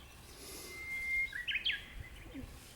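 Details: Japanese bush warbler singing in the mountains early in the morning during bracken gathering: a long, steady whistled note held for about a second, then a quick, rising-and-falling flourish of sharp notes, over soft background hiss.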